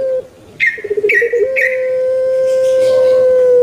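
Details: Kept puter pelung turtle dove: a rapid run of short gurgling coos, broken by three sharp clicking sounds, rolls straight into a long, steady, thick coo held for two seconds.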